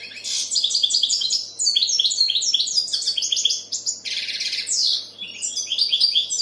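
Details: European goldfinch singing, likely a kept aviary bird: rapid twittering phrases of bright chirps and buzzy notes, high-pitched and continuous, with a short pause near the middle before the lively jumble resumes.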